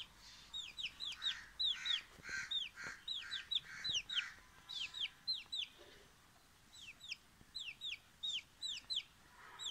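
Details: A frightened chicken chick gives a rapid series of high, downward-slurred peeping calls, several per second in bursts, with short pauses between runs.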